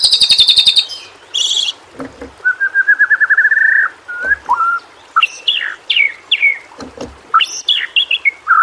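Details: Training song of a white-rumped shama (murai batu) for prompting quiet birds to sing: a fast high trill opens, then a rippling mid-pitched warble, then scattered sharp whistled and downslurred notes.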